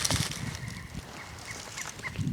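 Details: A Pileated Woodpecker in a big old tree in woods on an old homestead gives a quick run of short, even, mid-pitched notes about three per second, faint under low rumbling handling noise and light wind.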